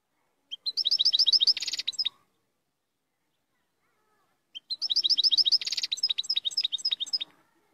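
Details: European goldfinch singing: two rapid bursts of high, repeated tinkling notes with a brief buzzy rattle in the middle, separated by about two seconds of silence.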